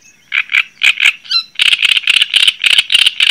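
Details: Java sparrow song: spaced pairs of clucking notes, a brief ringing whistle, then a rapid continuous run of dry chattering notes.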